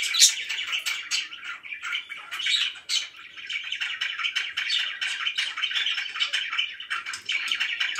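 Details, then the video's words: Budgerigars kept as pets and called very happy keep up a steady, buzzy, scratchy warble, dense and unbroken, with a few sharper squeaky chirps. "VERY HAPPY BIRDS"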